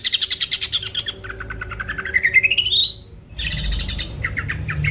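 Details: Greater green leafbird song used to provoke rival birds into singing: rapid pulsed chattering near the start, then a long rising whistled glide that climbs steadily before a brief pause and a return of fast buzzy notes.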